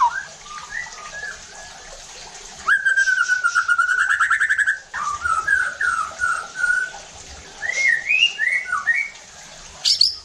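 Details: White-rumped shama song used to provoke rival shamas to sing: mellow slurred whistles, a sustained buzzy trill, further rolling phrases and looping whistles.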